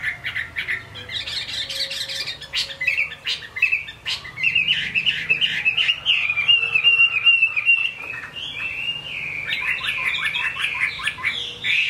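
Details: Rain-soaked performance by a caged Chinese hwamei: varied chattering and rippling whistles, with a sustained flowing warble in the middle and busy, jumbled notes toward the end.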